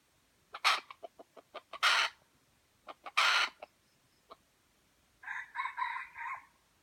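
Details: From Aceh, an F1 junglefowl with white legs: ticking clicks and three harsh loud bursts, then a nasal, harmonic, pulsed call of about a second at the end.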